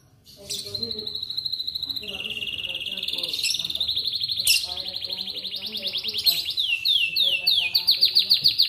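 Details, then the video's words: Atlantic canary singing in the morning to spur other canaries to sing: a long string of high, rapid rolling trills that change speed and pitch, ending in repeated downward-slurred notes and a loud, fast pulsed trill. "MASTERAN AMPUH Buat Kenari Lain Cepat Bunyi II Pancingan Kenari di Pagi Hari"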